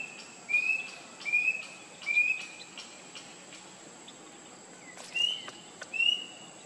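Rusty-breasted Cuckoo giving short, clear upslurred whistles, about one per second, with a brief pause before two more. A steady high insect hum runs underneath.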